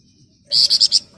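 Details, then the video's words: Flamboyan songbird singing in the rapid ngebren style: a single burst of four shrill, high chattering notes in quick succession, rising out of a quiet background. "Burung Flamboyan Ngebren Rapat Nyerecet"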